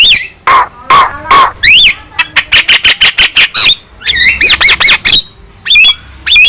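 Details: Javan myna, a young bird in full song with head-bobbing, delivering loud rising whistles and nasal squawks, a rapid burst of clipped chatter notes, then more upslurred whistles and harsh squeals.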